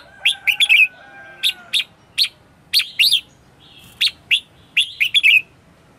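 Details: Morning 'ché' song from a red-whiskered bulbul decoy used for calling wild birds. Sharp single chirps and quick warbled trios repeat roughly every second or two, with a few drawn whistled notes.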